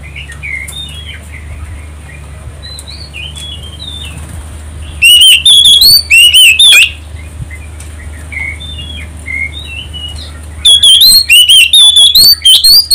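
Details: An Oriental magpie-robin sings as bait to get other birds singing. Two loud runs of fast, ringing whistled notes rise and fall, separated by a quieter spell of faint twittering and a low background hum.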